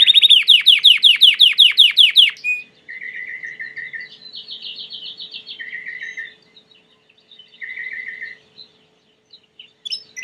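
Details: Belgian canary song starting with a fast, loud series of descending sweeps, then softer low rolling trills and a higher buzzy roll, separated by short silences.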